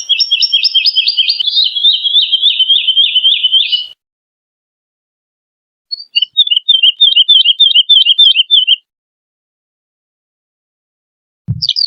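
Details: Wood lark song as a clean recording: a fast run of clear, fluted repeated notes that slowly descends, a pause, then a second shorter rapid repeated phrase, ending with a brief low thump.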